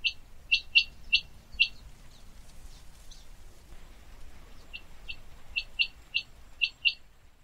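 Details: A common quail repeating crisp, short high-pitched notes in little runs of two or three, a pause in the middle, with a low rumbling background.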